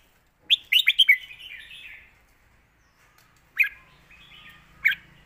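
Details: Red-whiskered bulbul in master song (เพลงแม่บท): a lively run of four quick chirps trailing into a bubbling warble, silence, then two separate emphatic notes later.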